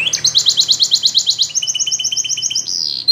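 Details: Training recording of a Russian canary singing in flute style: a fast, even series of rising chirped notes, about six per second, shifting into a lower, doubled trill and ending on a sustained whistle.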